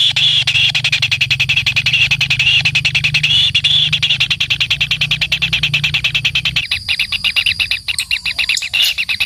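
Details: Kingfisher chick, fed by the parent bird, begs with a fast run of rapidly repeated shrill pulses over a low hum, then switches to scratchier, irregular high notes near the end.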